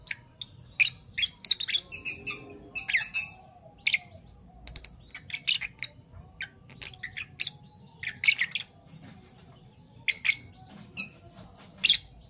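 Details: Fischer's lovebirds, one parblue violet and one parblue turquoise, chattering in the morning: rapid runs of sharp squeaky chirps mixed with harsher notes, pausing briefly between bursts.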